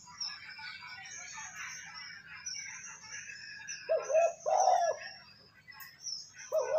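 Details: Spotted dove calls for stimulating decoy birds: busy chattering of other small birds dominates at first, then three low hoarse coos arrive in the last seconds.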